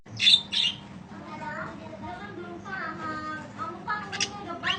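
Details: Budgerigar in long chirping used as training audio for other birds: soft, chattering warble of squeaky, nasal notes and short rising whistles, with a few louder sharp chirps at the start and a faint steady low hum behind.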